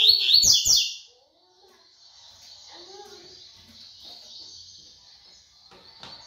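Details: Brown-plumaged double-collared seedeater giving a tui tui style song: a loud burst of quick, bright chirped notes lasting about a second, then near silence with faint high hiss and soft low murmurs.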